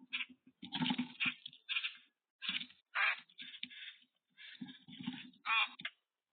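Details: Boat-tailed grackle on a bird cam, producing a busy series of harsh, grating chatters and squeaky rasps interspersed with low clicks. The bursts are irregular, with short pauses between them.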